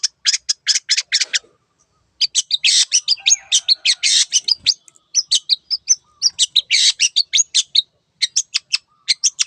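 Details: Long-tailed shrike in lively song: rapid clicking chirps run into dense scratchy bursts and varied mimicking notes, with a brief pause near the start.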